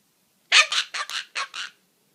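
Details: A male cockatoo making funny noises at his owner, as if talking: six harsh, raspy squawks in quick pairs over about a second, loud and broad-toned, with nothing else heard.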